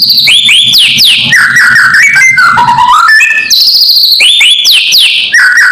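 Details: Kretekan call of a white-rumped shama, played loud to anger rival birds: rapid chains of upward-flicked whistles and slurred notes, dropping into lower warbled whistles, then the high phrases return.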